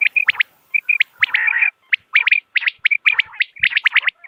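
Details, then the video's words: Clear, natural common quail calls: rapid clipped chirps grouped in twos and threes, with a brief rougher, buzzier stretch near the middle. "بٹیر کی صاف آواز | Common Quail Calling Sound"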